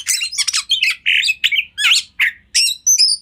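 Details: Kacer singing a master song used for training: a burst of harsh chattering notes followed by a row of loud, evenly spaced short phrases, each a rough slurred whistle.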